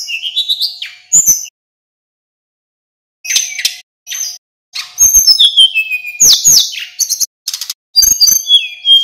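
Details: Male local mountain sulingan singing in bursts as tutor material for captive birds: a rising whistled phrase, a long silence, then dense chattering high notes, slurred whistles and buzzes resuming more continuously toward the end.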